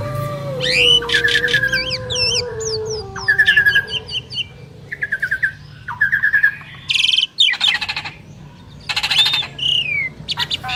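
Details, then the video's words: Duetting Asian pied starlings, two prized birds: looping whistles, harsh buzzy bursts and long steady tones mixed in a varied, irregular sequence. "Jalak Suren Istimewa | Duet 2 Burung Juara"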